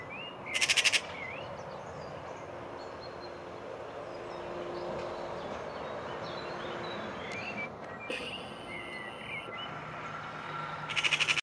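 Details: Eurasian magpie taunting a cat, Île-de-France, France, April 2023. Brief bursts of harsh staccato chatter come near the start and at the end, with thin whistled notes of other birds and steady outdoor background noise in between.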